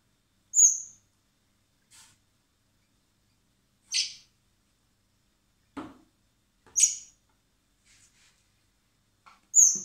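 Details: Common blackbird chicks being hand-fed in spring at a wildlife recovery centre before release; high, thin squeaky begging notes come in short bursts every couple of seconds, with soft handling clicks between them.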